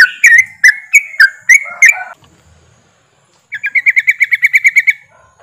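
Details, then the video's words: Group of yellow-vented bulbuls, chattering ropelan song meant to spur birds into singing: a few loud bubbly notes, a two-second pause, then a quick even run of about a dozen sharp chirps. "TRUCUKAN ombyokan,TRUCUKAN ROPELAN untuk bahan cepat bunyi"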